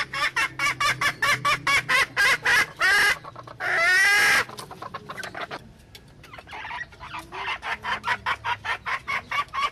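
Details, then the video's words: Wild junglefowl hen giving a rapid, regular series of sharp clucks, then one long, buzzy, wavering call of about a second, followed by a softer, quickening run of clucks. "suab poj qaib qus seev zoo"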